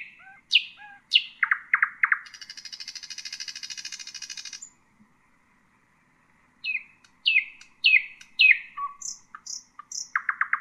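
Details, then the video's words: A nightingale sings for teaching fledglings: sharp upswept notes and thick chirps lead into a long high buzzy rattle, a gap, then a varied series of slurred notes, whistles and rapid pulses. "أفضل تغريد للعندليب الحسينة لتعليم الفراخ"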